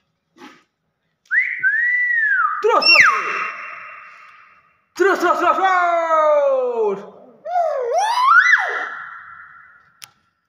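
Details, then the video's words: Talking hill myna delivering loud mimicked phrases: rising whistles into long level tones, a harsh harmonic-rich falling burst, then twisting whistled notes, in three bursts with short silent gaps. "burung beo bisa ngomong terus terus"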